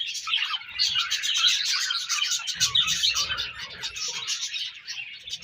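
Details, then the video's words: Breeding-season budgerigars chatter rapidly, many high chirps and warbling twitters blending into a continuous flock sound, with faint low rustling midway. "Budgies Breeding Season & Budgies Chirping Sounds"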